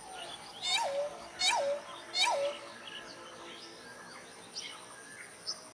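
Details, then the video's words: A Pheasant-tailed Jacana gives three loud, nasal mewing notes as a breeding call, each rising then dropping, less than a second apart, followed by fainter calls from other birds. "pheasant tailed jacana (Hydrophasianus chirurgus) CALL | SOUND | BREEDING SONG"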